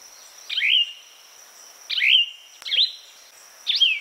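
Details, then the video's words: Plumbeous vireo singing four short, slurred, burry phrases about a second apart, over a steady high insect whine. "Plumbeous Vireo Bird Sound, Bird Song"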